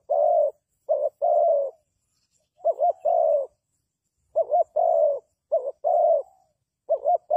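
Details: Spotted dove call used as a decoy for trapping: low mellow coos in phrases of a quick doubled note followed by a longer drawn-out coo, repeated several times with short pauses; quiet background.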